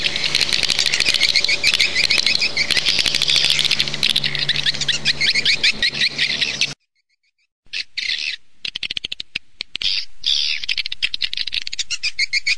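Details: Swiftlet calls, used with calling equipment to attract birds to swiftlet nest houses. A dense, rapid stream of high chirps and twitters repeats several times a second, with a low electrical hum and a brief silence midway.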